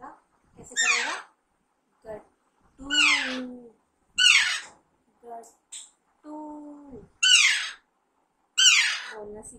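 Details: Pet baby Alexandrine parakeet, raised since young, while its owner coaxes it to learn to speak: grating screeches repeated every one to two seconds, alternating with short human words.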